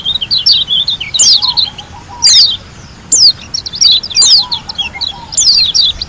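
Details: Lombok white-eye singing gacor with tembakan: recurring bursts of piercing downward whistled sweeps mixed with quick twittering chirps, about once a second. Soft low trills sound in the background.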